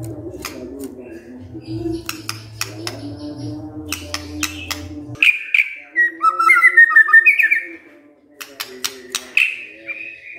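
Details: White-rumped shama, a silent bird jolted into loud singing by a lure recording: clicks and a steady low hum, then a burst of rich warbled whistles and rising slurs before a pause and further sharp clicks.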